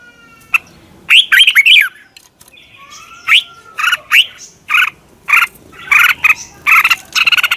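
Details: Red-whiskered bulbul singing in the morning, used for training birds: a clear high whistle, then a lively string of short warbling phrases and sharp chirps, repeated at irregular intervals and quickening toward the end.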